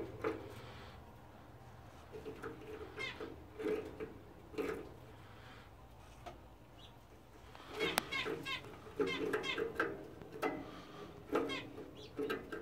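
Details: A fawn zebra finch pair, the female thought to be a fawn Florida fancy, give nasal, toy-trumpet beeps mixed with quick buzzy, clicking song phrases.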